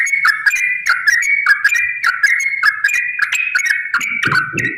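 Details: Rapid, extended song of a yellow-vented bulbul used to provoke rival singing: quick chuckling phrases of falling and rising notes, about one hundred per minute, ending over a short burst of low noise.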